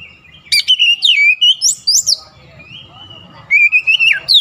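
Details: Oriental magpie-robin (kacer) singing insistently, rich varied whistles and quick sweeping notes in two bursts separated by a softer stretch with low background rumble.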